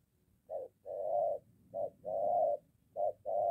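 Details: Spotted dove in Gia Lai, Vietnam: a moulting decoy bird being trained near home meets a wild dove. Three paired coos, each a short low note followed by a longer, rougher drawn-out coo, repeating about every 1.2 seconds.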